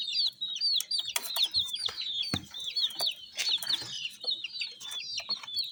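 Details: A group of coloured baby chicks peeping nonstop: shrill, bright, falling chirps crowd over one another, with a few sharp knocks and scuffling sounds between them.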